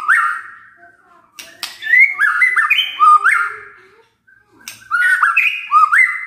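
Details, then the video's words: Murai batu (white-rumped shama) performing kretekan and tembakan: an opening whistle, a crackle of clicks, then rapid chains of upward-jumping whistled notes, the sequence returning after a brief pause. "KRETEKAN DAN TEMBAKAN murai batu full isian"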